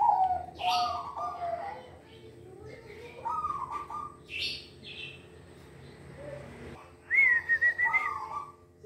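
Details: Short, rolling cooed phrases from a silver zebra dove, a bird described as an eager, tuneful singer, mix with higher whistles and chirps from other birds, including a clear rising whistle near the end.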